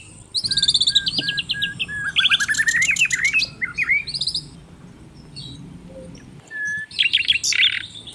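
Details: Asian brown flycatcher in full lively song, a tutor recording: rapid repeated chirp series and buzzy trills, a long pause with one short whistle, then a dense burst of high notes; faint background hiss.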